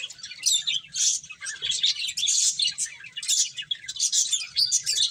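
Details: Finches chirp as they eat: overlapping high, rapid tweets and squeaky notes rising and falling in loudness in waves every second or so.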